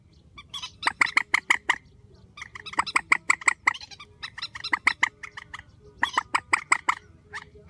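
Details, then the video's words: A spliced recording of a strong grey-headed swamphen call: dense, rapid volleys of harsh clucking notes, nearly continuous in long runs with a few short breaks. "Tiếng trích TRÍCH GHÉP SỐ 4, tiếng trích mạnh"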